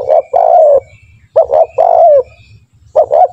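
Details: Spotted dove cooing as a training lure for other doves: paired short coos leading into a longer wavering coo, repeated quickly, with a soft low background rumble.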